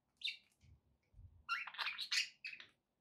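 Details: Pet budgerigars chirping indoors: a quick run of short, buzzy chirps and warbles, with a couple of faint low knocks between calls.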